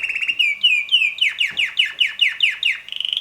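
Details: Young red male canary, roughly six months old, in full song: a string of loud descending whistled notes repeated about three times a second, ending in a brief rapid trill.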